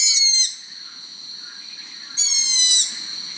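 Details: A young Long-eared Owl, the kind listened for at night later in the breeding season, gives two high, squeaky, slightly falling calls like a creaking gate, about two seconds apart.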